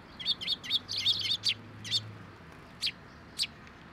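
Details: Sparrows coming to take food put out on a post at a Tenmangu shrine on 10 October 2023; a quick burst of bright, high chirps in the first two seconds, then a few separate single chirps spaced apart.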